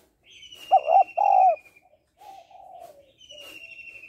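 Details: Spotted dove female calling to stimulate males, giving a loud doubled coo and then a quieter, longer low coo. Another bird delivers a high, buzzy, falling trill at the start and end.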